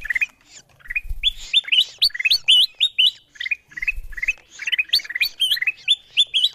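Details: Ruby-throated bulbul sounds for luring wild birds in: rapid bursts of short, rising, chirpy whistles, some slurred upward with a sharp flick, running almost without a break, plus a couple of soft low knocks.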